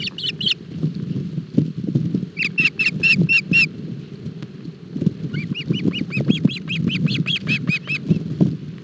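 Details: Osprey chicks at a nest in Barlinek Forest, 07 July 2022, given a breakfast fish too big for them. Several bursts of short, sharp, whistled chirps repeated in quick series, over steady low rumbling noise.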